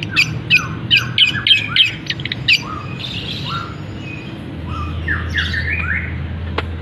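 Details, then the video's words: Caged long-tailed shrike singing eagerly right after uncovering, mixing canary-style fill with imitations of other birds; a fast burst of about eight sharp chirps, then softer downslurred whistles and a trailing warble. "Cendet Gacor Isian Kenari, gereja tarung, kapas tembak"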